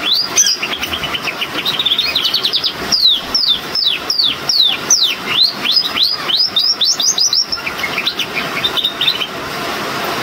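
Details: A male crested Gloster canary starts singing: a fast run of bright, high whistled notes, rising and falling sweeps repeated several times a second, with a faint hum behind.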